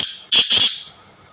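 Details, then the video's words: A black francolin gives two loud, harsh, grating notes in quick succession, high-pitched and rasping, then fades out. "کالا تیتر کی آواز"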